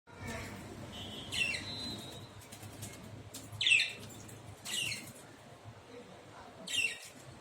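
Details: A bathing myna gives a drawn-out whistle, then harsh, scratchy bursts every second or two, with splashing and fluttering noises and a low background hum. Finding: Myna.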